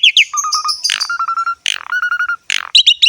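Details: Asian pied starling song used to stimulate starlings to sing: sharp chirps, then steady repeated whistled notes alternating with rough squawks and quick chattering rattles.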